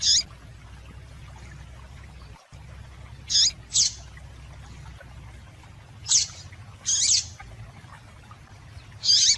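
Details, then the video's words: Female double-collared seedeater call used to stimulate males: high, quick chips, mostly in pairs, after a long pause, spread over several seconds with a steady low hum beneath. "Piado de Fêmea de Papa capim Para Esquentar Papa capim"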